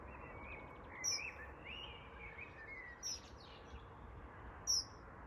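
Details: A parent dunnock calls for its just-fledged young near the nest, giving thin, high, piping single calls about every two seconds, three in all, over a steady outdoor hiss.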